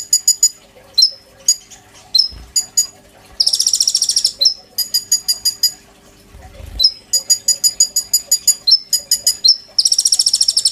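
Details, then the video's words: Brown-throated sunbird (kolibri ninja) singing loudly as a lure and master song for training young birds: rapid high ticking trills alternating with slurred whistles and long buzzy high rattles, steady faint background hum. "PANCINGAN KONIN GACOR FULL NEMBAK ISIAN TONJOLAN MEWAH, COCOK BUAT MASTERAN KOLIBRI NINJA BAHAN"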